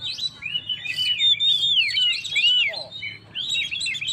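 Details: Oriental magpie-robin in lively 'gacor' song, used to stir up stressed birds: clear, sweeping whistles that rise and fall smoothly, with a few short chips, over a faint low hum.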